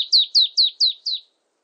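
Marsh tit giving five high, clear, down-slurred notes in a quick even series, about four a second, with no other sounds.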